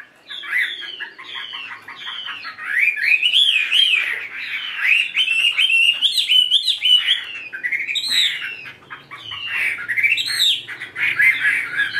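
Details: Chinese hwamei, a tamed cage bird, delivering a varied, rich song of rapid chirps, rising whistled slurs and repeated bright phrases, loud and nearly unbroken across the whole stretch.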